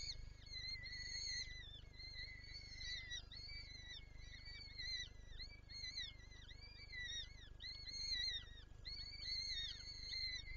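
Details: Female peregrine falcon at a Lublin nest, Poland, 23 April 2024, eager to feed her young. Continuous high, arching whines are repeated in rising-and-falling sweeps, backed by steady low-frequency noise.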